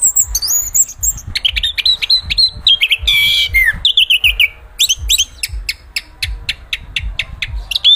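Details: Chestnut-capped thrush (Zoothera interpres) singing varied clear whistled phrases: long level and falling whistles, then a run of evenly spaced sharp high ticks, with faint low thumps behind.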